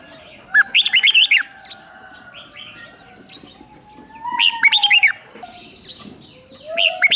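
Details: Decoy red-whiskered bulbul, noise-free lure song for attracting wild birds: repeated bursts of lively, arched whistled notes roughly every three and a half seconds, with faint lower tones between.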